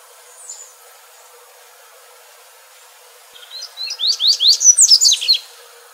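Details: Double-collared seedeater singing in the wild, used to train young birds and stimulate singing; after three quiet seconds a burst of high, rapid chirps and sweeping whistled notes runs about two seconds.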